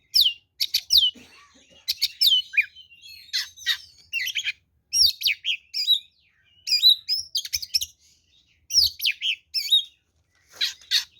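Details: Long, lively fighting song of an oriental magpie-robin used as a lure, with rapid varied whistles, downward sweeps and scratchy chatter in tight phrases and few pauses.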